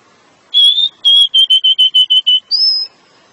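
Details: Pied bushchat singing a long ngeplong song to lure the female: a sustained whistled note, then about eight short, even whistles in quick succession, ending on a higher drawn-out whistle.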